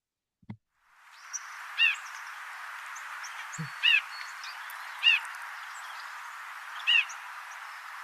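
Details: A White-breasted Nuthatch in Sonoma County gives four nasal, kazoo-like, goofy single notes a second or two apart over steady background hiss, with a couple of soft low thumps.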